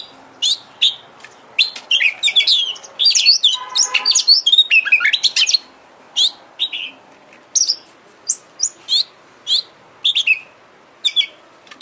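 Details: Oriental magpie-robin lure song meant to make a kept bird sing and open its tail: a long, varied sequence of sharp whistles and chips, busiest early on, then spaced single notes roughly every second.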